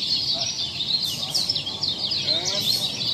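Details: Masteran of kecial lombok: a thin, sweet, high warbling chatter pouring out continuously, with one brief lower chirp from another bird partway through and soft background noise.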